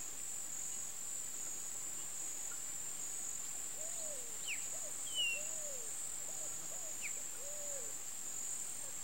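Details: Young rufescent tiger-heron (Tigrisoma lineatum), a bird of flooded regions, holding still to go unnoticed, gives about six soft, low, arched hoots over four seconds against a steady high insect drone.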